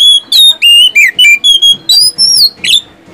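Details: Lure song of an oriental magpie-robin, aimed at prompting lazy magpie-robins to sing: rapid repeated whistled phrases about three per second, mostly level tones with a few sliding upward and falling notes.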